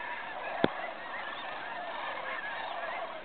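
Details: Fly-in of cranes at Bosque del Apache National Wildlife Refuge, 2011 Festival of Cranes: constant massed rolling calls from many birds, broken by one sharp click.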